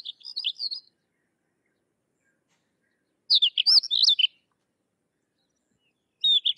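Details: Sykes's lark song: three bursts of quick, varied high chirps and whistles, separated by about two and a half seconds of silence.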